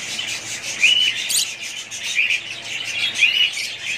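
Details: Pet budgerigars in a family group give steady high twittering chatter, with short clear whistled notes repeated about every second over the busy warble.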